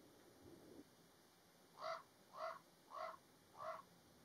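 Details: A common raven parent, upset by a vehicle near its nest of nestlings in May 2022 in Alberta, Canada, gives four harsh, hoarse croaks spaced about half a second apart after a soft low thump.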